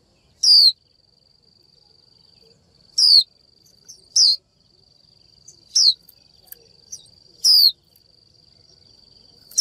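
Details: A female warbling white-eye, calling to attract a male, repeats a sharp, high, down-slurred 'chiu' every one to two seconds over a steady thin high whine.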